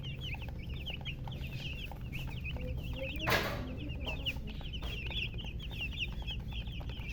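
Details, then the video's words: Chickens of mixed colours giving silly chirps: rapid, high, slurred peeps repeated in busy runs for several seconds, broken once by a brief noisy burst, over constant low-pitched background noise. "silly chicken chirping sounds with murgi hen color chicken"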